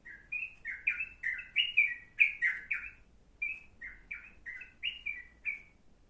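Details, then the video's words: Yellow-vented bulbul song recommended as tutor material for a sooty-headed bulbul: a lively stream of loud, liquid, slurred notes, each phrase bouncing up and down, repeated almost continuously for six seconds with only short breaks. "burung trucuk cocok buat isian kutilang"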